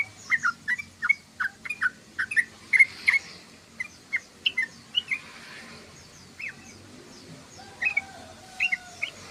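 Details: Sooty-headed bulbul chattering, the ngoceh style: short slurred chirps in a loose series, spaced out and broken by gaps, with a few softer notes near the end.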